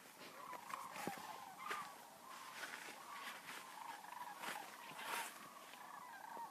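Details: Migrating sandhill cranes, a huge flock passing through Denali National Park and Preserve in Interior Alaska: many birds calling at once in rattling, gargled bugles, dense and overlapping, with occasional louder individual calls and sharp clicks.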